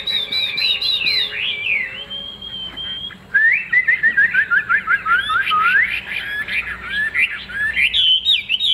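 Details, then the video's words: A big-tailed caged Chinese hwamei in rich, loud, varied song: fluid whistles sliding up and down, quick slurred phrases and trills, delivered in a continuous rapid stream. "Họa mi đuôi lá vả bóng bộ đẹp hót hay"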